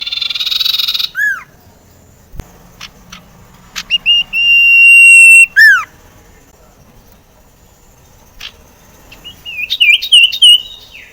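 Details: Sirtu, a common iora, used as a lure to prompt rarely singing sirtu birds into song: clear whistled notes near steady pitch, a long sustained whistle with harmonics, sharp downward-curving slurs, and rapid trilled phrases toward the end.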